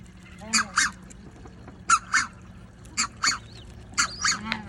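Coscoroba swan giving nasal, honking calls in quick two-note pairs, about one pair every second, over a low steady hum.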